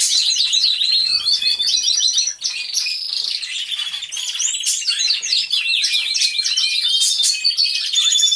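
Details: An aviary full of singing canaries, recorded unedited by a hidden camera: a loud, unbroken wall of bright trills, fast repeated chirps and warbling phrases layered from many birds.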